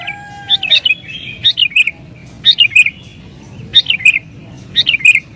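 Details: Sooty-headed bulbul singing emotionally to lure wild birds: bubbly chirped phrases with wavering falling notes, about one phrase a second, a faint low whistle at the start.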